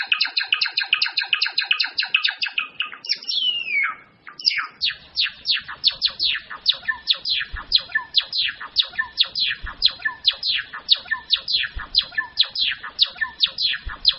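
A Java sparrow sings a rapid dry clicking chatter, then a slurred whistle, then a long steady run of bright, bell-like tinkling notes.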